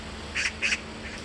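A magpie gives two harsh, rasping notes in quick succession, each about a sixth of a second long, against a quiet background.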